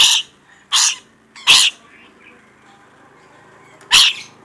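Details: Rainbow lorikeet in full voice, giving four loud, harsh, shrill screeches: three in quick succession, then a pause and one more.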